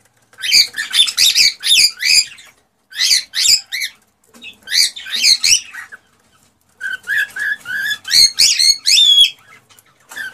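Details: Male cockatiel's excited mating song to stimulate the female: series of sharp chirping bursts separated by short pauses, ending with a run of warbled whistles and a long rising note.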